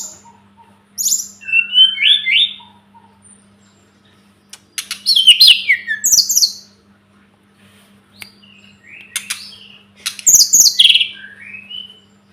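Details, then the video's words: Sunda robin song used as a tutor recording: three separate bursts of high, varied whistled and twittering phrases, each lasting one to two seconds, with quiet gaps between them and a faint steady low hum throughout. "Masteran burung tledekan gunung"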